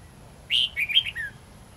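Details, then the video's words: Bright red-whiskered bulbul phrase in the wild-forest singing style (giọng rừng), long and twisting, meant for tutoring young birds: a bold first note, a few quick warbles, then a falling final note. "Chào mào hót giọng rừng âm dài xoắn cực hay"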